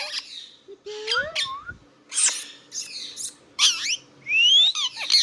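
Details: Indian ringneck parrot kept as a pet, calling in its natural voice: rapid bursts of rasping screeches mixed with clear slurred whistles climbing upward, about one burst per second, with a faint constant background hum.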